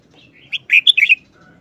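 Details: Red-whiskered bulbul in a quick wild-style song: one clear burst of rapid, liquid whistled notes lasting about half a second, against a quiet background.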